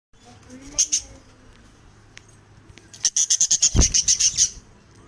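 Budgerigar giving two sharp high chirps, then a quick run of about ten bright, rapid chirps.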